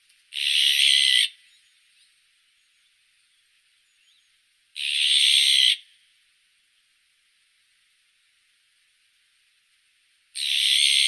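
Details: Azure-winged magpie (Cyanopica cyana) giving three harsh, rasping, buzzy calls, each about a second long and spaced roughly five seconds apart, with quiet in between.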